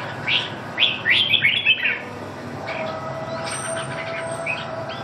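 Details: Red-whiskered bulbul giving one quick series of clear, slurred chirping notes in the first two seconds. After that, only a low background hum and faint high tones remain.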